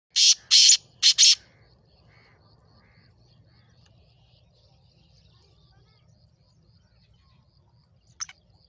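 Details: Black francolin from Sindh calling: three loud, harsh, rasping bursts in quick succession at the start, then quiet with a faint low hum and one short sharp note near the end.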